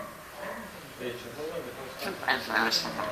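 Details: A five-year-old pet Eclectus parrot talks, repeating what it hears around the house, in a quick run of speech-like syllables with a few sharper, higher notes near the end.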